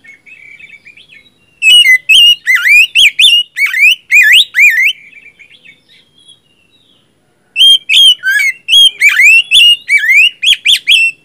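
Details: Magpie-robin in full gacor song, played to coax a stuck kacer into singing: a soft buzzy start, then two long bursts of rapid, loud looping whistles about two per second, with a quiet break between.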